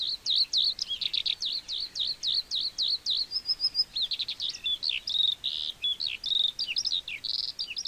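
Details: Lark, a small mottled-brown field bird singing to hold territory and attract a mate: a long, continuous high warble, opening with rapid repeated swooping notes, then shifting into varied trills, buzzes and whistles without pause.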